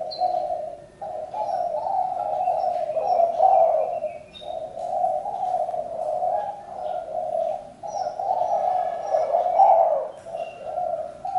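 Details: Spotted dove calling continuously, a run of throaty, wavering coos with short gaps, steady and repeated over several seconds; faint thin chirps of other birds above.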